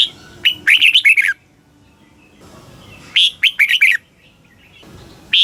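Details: Red-whiskered bulbul from Thailand sings a southern master-style phrase played to stimulate caged birds: bright warbled notes rising and falling, repeated roughly every two and a half seconds.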